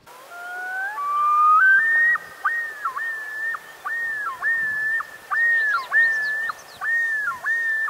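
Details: Common loon giving long, haunting rising wails, then a run of repeated swooping, yodel-like phrases about every half second, with faint echoing calls behind.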